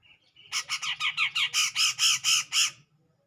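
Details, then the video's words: Grey-cheeked bulbul singing to provoke a rival: a loud, clear run of about eleven rapid, rich whistled notes, each sweeping down, delivered in under two and a half seconds. "Cucak Jenggot Gacor Jernih Mancing Sang Lawan"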